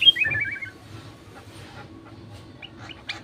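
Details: Sooty-headed bulbul singing as a lure to get other bulbuls calling: one short run of rapid, falling, bubbly notes opens, then near quiet with a few faint chirps at the end.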